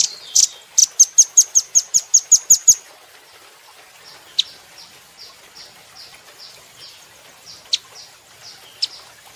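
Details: Velvet-fronted nuthatch, kept as a cage bird, heard in a training recording: a fast burst of about ten high, sharp chips in a steady run, followed by softer, scattered faint notes against a quiet background.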